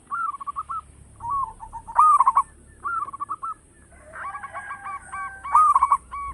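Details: Loud local zebra dove song recorded as a lure: short rolling coo phrases and two sharp bursts of stuttered notes, with a chorus of other cooing doves overlapping in the second half.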